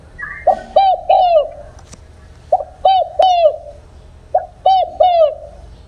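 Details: Spotted dove singing "đồng không hậu" cooing song for trap speakers: three regular phrases of a quick note plus two longer hollow coos, a brief higher chirp at the start and a sharp click.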